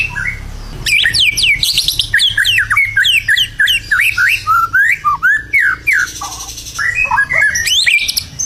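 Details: Burung batu singing vigorously: a fast, varied run of sharp whistled notes, rising and falling sweeps and chattering trills, delivered in quick bursts over about seven seconds against a low background hum.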